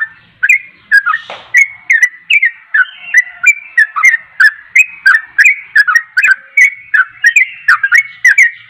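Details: Vigorous yellow-vented bulbul song for stirring other birds to sing: fast chattering, liquid notes in a steady stream, interrupted once early by a brief noisy burst, over a thin background tone.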